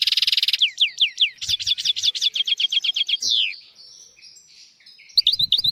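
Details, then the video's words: European goldfinch song used as a tutor recording for teaching young goldfinches and canaries. It opens with a fast rolled buzzy trill, then descending slurred whistles and a rapid run of repeated sharp notes, ending with scattered twitters after a pause. "تغريد طائر الحسون حفاضة لتعليم طيور الحسون والكناري بدون أخطاء"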